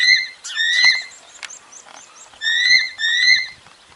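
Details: Bird of prey screams meant to drive off pigeons without harm: strong harsh drawn-out cries in paired phrases, separated by a quieter stretch with scattered clicks and faint noise.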